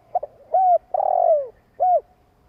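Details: Spotted dove giving a long coo said to stir decoy doves into calling: two soft clipped notes, a rounded arched hoot, then a drawn-out throbbing coo sliding downward, followed by another arched hoot; quiet background.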